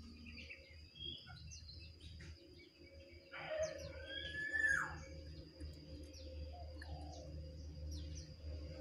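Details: Jongkangan in a singing contest between one wild bird and two caged birds: a clear, slurred whistle rising then falling at mid-clip, amid scattered short chips, a constant high-pitched drone and low rural background noise.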